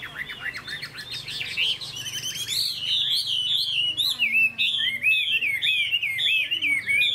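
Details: Caged Chinese hwamei kept as a singing bird in Vietnam, described as spreading its tail in a fighting display and singing well: loud, varied whistled phrases, rich slurred notes repeated rapidly, rising in strength through the clip, low hum beneath.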